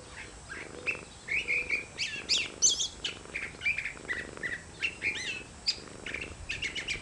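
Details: Curve-billed thrasher singing in a garden: varied phrases of short whistled and slurred notes, some rising and some falling, delivered in quick bursts with brief pauses, alongside fainter low hum in the background.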